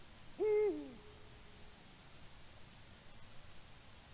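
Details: A Eurasian eagle-owl at its nest at 6:16 p.m. on 21 March 2020, having brought a small gray mammal, possibly a shrew, hoots repeatedly: one short, deep hoot holding steady then dropping slightly, over soft hiss.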